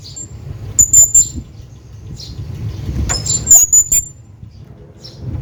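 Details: Male hanging parrot calling to his companion: two short bursts of very thin, piercing high squeaks in quick pairs, about three seconds apart, over a steady low rumble.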